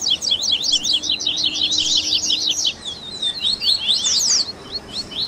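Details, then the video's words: Double-collared seedeater performing a baderninha warm-up song, meant to stimulate a captive bird to sing: a fast, dense chatter of sharp rising and falling high twittering notes, briefly slowing to a sparser phrase before picking up again. "Baderninha de Coleiro Top FAÇA SEU COLEIRO CANTAR em 30 Minutos - Esquenta de Coleirinho!"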